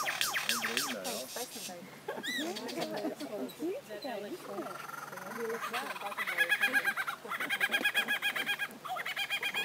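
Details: Superb lyrebird at Healesville Sanctuary mimicking various sounds: chattering, rapid whistled phrases and bright repeated notes; human voices at the start.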